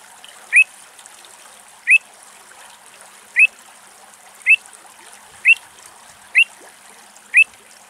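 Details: Pied avocet in Greece, a parent guarding its newborn chicks, giving seven clear, fluty 'kluit' notes, each slightly rising, about one second apart, over a steady soft hiss.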